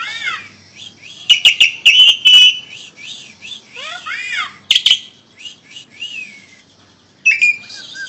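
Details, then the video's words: Asian pied starling, Indonesia, singing loud varied whistles: rising and falling slurred notes, sharp clicking bursts and a drawn-out whistle, delivered in uneven phrases with short pauses between. "Burung Jalak Suren Indonesia"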